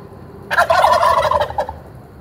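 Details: Wild turkey strutting through a parking lot in Traverse City, Michigan, gives a single loud, rapid, rattling gobble lasting just over a second, descending slightly and ending in a couple of short gulps.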